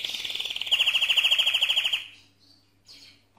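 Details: Mosaic canary in full song, a loud rapid rolling trill of evenly repeated notes lasting about two seconds, followed by near silence and two faint short high notes.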